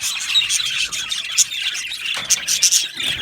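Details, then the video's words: Budgerigar colony in an aviary: a short stretch of busy high chirping with several sharp, whistled squeaks standing out above the chatter. "Beautiful Budgies chirping sounds"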